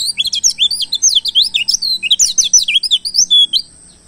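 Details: Oriental white-eye from the wild, a lure recording for attracting its kind, pouring out a lively, high chattering warble of rapid sliding whistles that rise and fall, running nearly nonstop before stopping abruptly.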